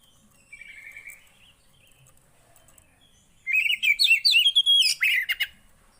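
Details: Javan white-eye song for a silent bird: a soft, thin whistle early, then a loud two-second burst of rapid, high, bubbling twitters and sharp chips.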